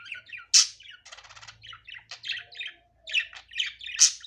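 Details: Unedited natural budgerigar sound: sharp squeaks opening and closing a stretch of buzzy rattling trills and quick chirps, over a faint low hum.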